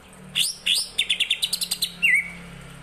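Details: Greater green leafbird (cucak ijo) singing a song filled with kapas tembak phrases: sharp high chirps, then a quick run of about ten clipped repeated notes, ending in a slurred falling-then-rising whistle. A low hum runs underneath.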